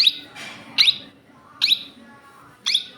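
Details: Indian ringneck parakeet calling: four short, shrill, screechy notes spaced about a second apart over a quiet background.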